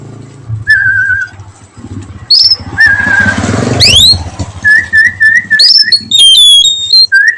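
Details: Oriental magpie-robin singing in the afternoon: clear, sweet whistled notes, some long and level, others sharp rising and falling sweeps, with a low hum and rustling beneath.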